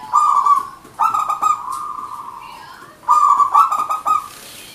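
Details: Local zebra dove singing its manggung song, played to lure other doves or get silent birds calling again: three loud phrases of rapid staccato cooing, each a trilled run of clipped notes at one steady pitch, the middle phrase longer and smoother.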